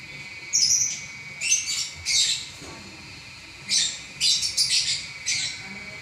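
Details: Competition-winning lovebird singing non-stop: sharp whistled squeak, then grouped harsh rasping chirps in quick bursts separated by short pauses, steady hum underneath.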